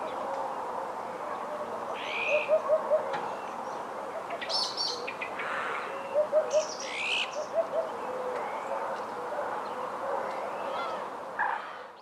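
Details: In winter, 30–31 December 2011, in Ria Formosa Natural Park, Portugal, a Eurasian hoopoe sings soft, low hollow "oop-oop-oop" triplets every few seconds, with scattered higher chirps from other birds over a steady rushing background.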